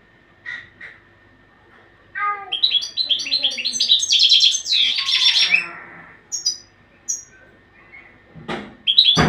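A European goldfinch sings a fast, liquid twitter of tinkling, buzzy notes in bright bursts, with a few sharp clicks near the end.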